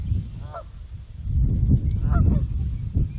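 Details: A Trumpeter Swan gives three resonant, horn-like honks spaced about a second apart over a steady low rumble of wind, in the Nebraska Sandhills on March 15, 2014.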